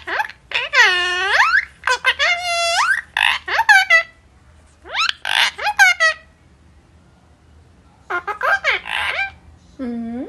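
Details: Pet parrot talking, said to ask where papa has gone: several bursts of voiced, speech-like syllables with strong harmonics and gliding pitch, separated by short pauses.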